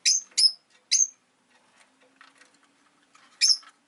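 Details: Caged rosy-faced lovebirds, five birds by a window during winter, give three quick piercing chirps, a stretch of soft chattering, then one more loud chirp.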